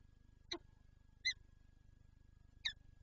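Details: Peregrine falcon at a nest in Lublin, Poland, on 19 March 2022 with an egg; three short harsh calls, spaced irregularly over about three seconds, above a constant low electrical hum.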